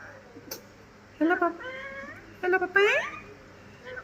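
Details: A green Alexandrine parakeet (Psittacula eupatria) talks in two short bursts of speech-like, voiced phrases sliding up and down in pitch over quiet room hum and a soft tap; it says phrases like "I love you", "Good morning" and "Hello".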